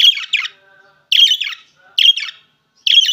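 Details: Short bursts of paired, scratchy high chirps from opaline green and opaline blue budgerigars, each double-noted call repeated at intervals under a second, loud and close in a quiet room.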